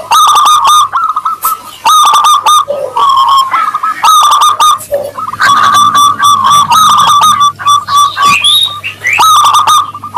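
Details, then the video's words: Local Zebra dove in full song, a 'crystal voice' style used as a lure to prompt other doves to answer: loud, ringing cooing notes with rapid staccato bursts in repeated phrases every second or so, clipped and harsh at peaks. "Perkutut lokal gacor suara kristal pancingan perkutut ampuh bikin cepat nyaut"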